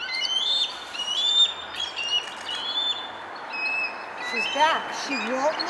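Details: Mother bald eagle at Centerport on 6 May 2019, calling while guarding her eaglets from an intruding juvenile; high piping whistles in quick chattering runs, and a man speaks briefly near the end.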